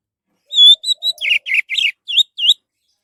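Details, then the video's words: Orange-headed thrush, a lure recording for getting other birds to sing: a few level clear whistles give way to a run of buzzier, slurred notes, about eight notes in all. "SUARA BURUNG ANIS MERAH"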